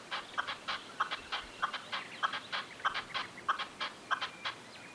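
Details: Red-legged partridge in the Sierra de Andújar, a rhythmic chuffing series of harsh notes repeated about every half second to second, steady and grouped, with quiet background.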